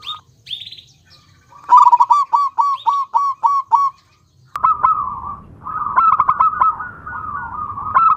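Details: A local male and female zebra dove pair coo together: a quick run of about eight soft, even-pitched notes, then more overlapping staccato coos over a steady background hiss.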